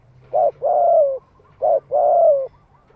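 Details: A spotted dove calls to attract wild doves, a 'giọng hạp' lure voice. Two phrases: a short soft hoot, then a long smooth coo sliding gently downward, repeated after a brief pause, with faint background rumble.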